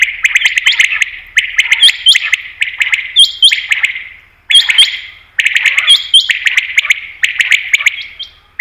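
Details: Common quail (batair) calls played to attract quail for hunting: dense bursts of high chirping notes with sharp upper clicks, in phrases of about one to two seconds separated by brief gaps, several voices overlapping.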